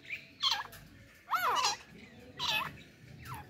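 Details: A pair of partridges, male and female, with a hunting female, calling excitedly; three loud squawky notes with descending ringing harmonics, spaced about a second apart, over quiet background.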